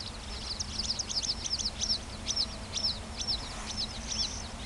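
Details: A male little bustard at Alfés, Lleida, Spain, in April 2017 gives a run of thin, high, chirping notes, about two per second, over a faint low rumble, with calandra lark and great spotted cuckoo calling in the background.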